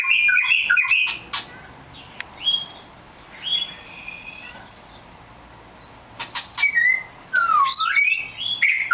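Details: Rare black magpie robin giving scattered whistled notes and slurred descending phrases, separated by quiet pauses, with sharp clicks and a final burst of rising whistles.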